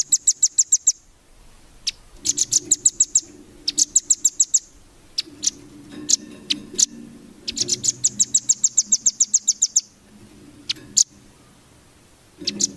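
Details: Velvet-fronted nuthatch tutoring song for competition birds: quick high trills in bursts of about a second, separated by single sharp notes, with a soft low hum beneath.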